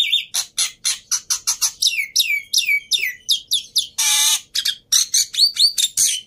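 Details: Black-winged myna (white myna) singing vigorously, used to prompt mynas that have stopped singing; rapid run of buzzy, sliding high notes with descending sweeps and one harsh rasping burst near the middle.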